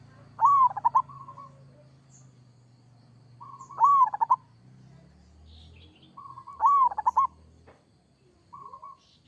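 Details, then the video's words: Local zebra dove in full 'kerot' style song. A bright rising opening note leads into a quick stuttering burst of cooing notes. Each phrase lasts under a second and repeats about every three seconds, with a low hum underneath. "Suara perkutut lokal gacor kerot"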